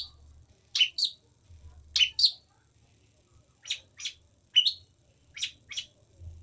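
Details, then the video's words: Long-tailed shrike, locally called pentet, giving harsh, slurred double notes in spaced pairs, roughly one pair every second or so, over a faint low rumble. "Burung pentet unik.."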